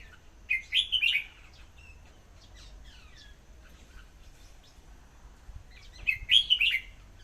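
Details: Red-whiskered bulbul giving two brief warbled song phrases several seconds apart, each a quick run of bright whistled notes, with faint scattered chirps and low background rumble between them.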